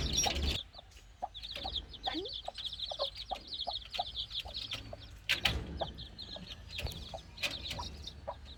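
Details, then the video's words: Playing chicks chirp in strings of quick high peeps, several birds calling together, broken by brief scuffling and pecking noises. "Chicks Chirping Sound(Cute Playing)"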